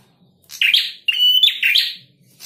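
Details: Energetic male prinia producing two linked buzzy phrases, the second opening with a sharp, strained note, all harsh and rasping with quick pitch wobbles.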